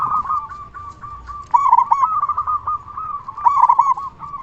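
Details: Zebra dove of local Indonesian stock in full voice, used to prompt other zebra doves to respond: a steady low cooing line broken by two louder trilled, stuttering bursts.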